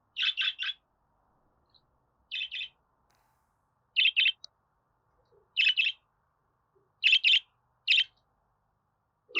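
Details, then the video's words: Budgerigar chirps for pet birds to hear and answer; high, scratchy double and triple chirps come in short clusters roughly every one and a half seconds against a quiet background. "Muhabbet Kuşu Ötme Garantili Kuş Sesi,Muhabbet Kuşu Sesi"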